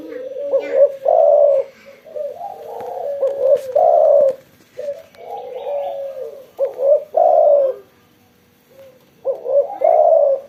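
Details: Spotted dove after sunbathing, cooing persistently: paired soft, low coos followed by a louder emphatic coo, the pattern repeated about every three seconds, with a few faint chirps nearby.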